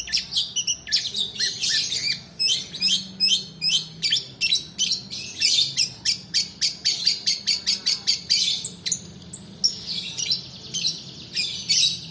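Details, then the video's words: Lure song of a long-tailed shrike, long-duration 'roll' style for tutoring other songbirds and prompting lazy singers: a steady run of sharp, high, scratchy notes repeated rapidly for twelve seconds with little break. "PANCINGAN PENTET MALAS BUNYI ROLL DURASI COCOK UNTUK MASTERAN"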